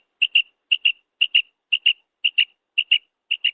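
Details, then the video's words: Female quail gives high, clipped notes in quick pairs, repeated steadily about every half second, with nothing else audible. "Female quail sound __ madi batair ki awaz"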